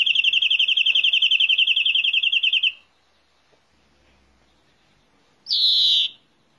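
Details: A fast, ringing trill from a greenfinch carries on for nearly three seconds and fades out. After a quiet pause, a single nasal wheeze follows.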